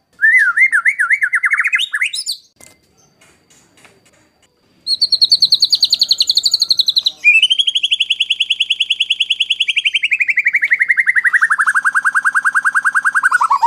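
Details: Master song of a white-rumped shama, rough-burst 'tembakan kasar' style for training contest birds: a wavering whistled phrase that climbs steeply, a pause, then long rapid trills that step down gradually in pitch.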